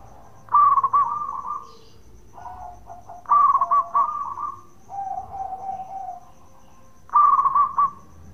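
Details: Local zebra dove giving its bekur call, meant to provoke other doves into answering: three bubbly cooing phrases, each opening with a quick rolling stutter then drawn-out mellow notes, about every three seconds.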